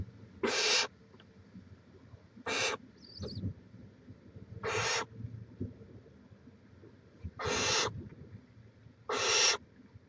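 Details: Nesting barn owl seen on a live camera in Chula Vista, California, 18 May 2017; a series of five harsh, steady hisses at irregular intervals of one to two seconds, a brief faint chirp, quiet low background.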